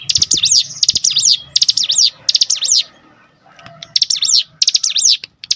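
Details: Cinereous tit singing loudly, provoked by a lure recording: rapid bursts of high, buzzy, rising and falling notes in short phrases about half a second long, repeated in quick runs with brief pauses, over a faint low hum.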